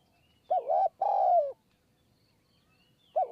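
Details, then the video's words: Spotted dove calling in hill forest of Kanchanaburi, Thailand, at a decoy trapping site. A wavering short note and a long, gently falling coo make one phrase. The next phrase begins about three seconds later. "คูบนคอน คูยาวมาก 170 คำ"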